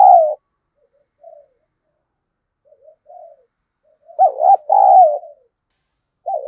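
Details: Spotted dove calling to lure wild birds. Faint, short coos lead into one loud phrase: a wavering double coo followed by a long descending mellow note. A further coo closes the clip.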